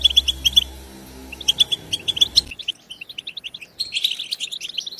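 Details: European goldfinch recorded in the wild to encourage goldfinches to sing: quick high chirping phrases with a low hum that stops halfway, followed by a busier, liquid twittering passage.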